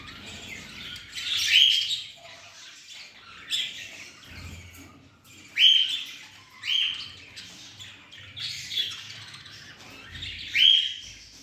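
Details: A budgerigar, a female that lays her eggs in gaps, gives short, bright chirps in scattered bursts, a few seconds apart.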